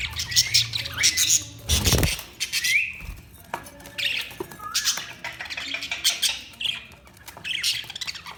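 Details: Chirping budgerigars give rapid, irregular bursts of harsh squawks, short rising whistles and scratchy warbling, with a brief low thump near the start.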